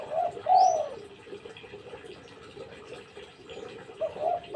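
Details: Spotted dove, known locally as tekukur, giving soft mellow coos: a short note and a longer rolling coo at the start, a stretch of quiet background noise, then another pair of coos at the end.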